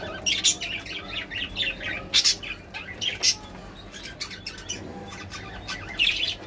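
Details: Budgerigars kept as pets give busy, high, squawky chirps and rapid twitters in uneven bursts. Several loud harsh notes stand out over constant low background noise.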